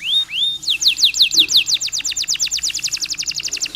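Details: Long canary song with pauses, meant to spur stressed canaries into singing. Two clear upward whistles open, followed by a rapid, steady run of bright downslurred notes, roughly three per second, fading slightly toward the end.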